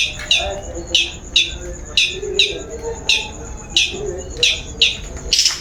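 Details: Long-tailed shrike lure call, used to provoke singing: harsh, sharp notes repeated about once a second, with a steady high whine in the background.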